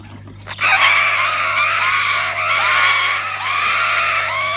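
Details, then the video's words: Kakariki chicks scream in panic: a dense chorus of harsh, rasping calls with repeated upward-curving squeals that runs for several seconds without a break. "Kakariki chicks get in panic"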